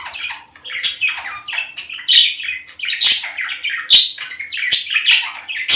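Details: Budgerigars, a sound played to stimulate breeding; loud, busy warbling with harsh squawks and bright chirps overlapping in rapid uneven bursts, several sharp clicks, close and indoors-sounding.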